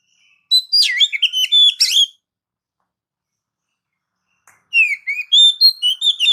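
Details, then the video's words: Oriental magpie-robin singing loud, rapid phrases of sweeping whistles and chattering notes in two bursts, recorded as a master track to stimulate pet magpie-robins. "Mp3 burung kacer masteran gacor"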